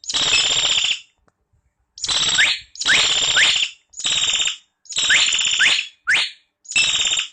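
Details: Common hill myna repeating harsh, raspy screeches, each lasting under a second, about seven in all. Short upward-sweeping whistles are woven into several of the screeches.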